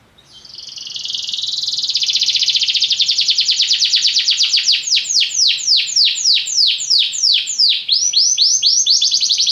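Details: Belgian canary delivering a sustained rolling trill that swells in loudness, breaking into rapid repeated downswept notes several per second, high and continuous with no background noise.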